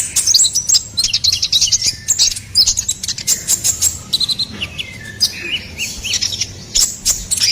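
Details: Ruby-cheeked sunbird, recorded as a lure and tutor for songbirds, in dense high twittering song. Rapid thin notes and buzzy trills are broken by brief gaps, with a few lower slurred whistles.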